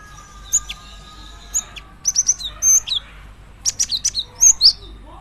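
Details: Calls of a female cinereous tit summoning a male: isolated sharp chirps, then dense runs of high, twittering notes and slurred whistles, over a faint steady hum.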